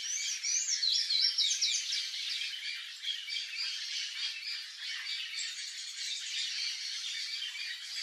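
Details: Palm tanager (sanhaço-do-coqueiro) in Brazil giving a fast, squeaky, high-pitched twittering run that chatters on steadily with no real pauses.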